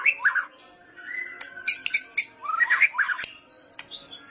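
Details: White-rumped shama in kretetan style, used to provoke singing: harsh rattling chatter bursts repeated twice, with a plain whistle and sharp clicks between, then high thin notes.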